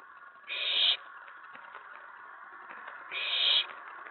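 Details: Nest-box owlet, night of May 19 2017, stirred up when an owl or owlet reached the tray following a mouse delivery; two broad, scratchy hisses of about half a second, separated by two and a half seconds of low background rustle.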